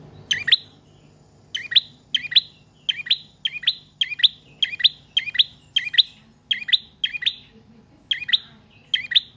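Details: A prinia sings energetically as a lure and a tutor for other cage birds: a long, rapid run of loud doubled chirps after a brief opening pause, delivered at a steady pace.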